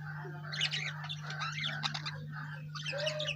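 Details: Lovebird chirping as a busy stream of quick, high, scratchy notes, fairly even in loudness throughout, with a strong low hum beneath.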